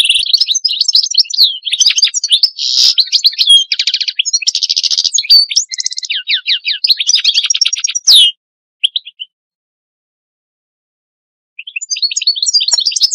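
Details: European goldfinch song from a tutor bird used to teach young goldfinches: a fast, liquid run of tinkling twitters, buzzy trills and bright notes, pausing briefly before resuming with more twittering.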